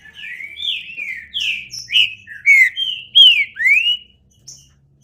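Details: Green-winged saltator delivering a clean whistled phrase: about eight mellow slurred notes alternately rising and falling, growing louder toward the end, then a quiet pause with one faint high note.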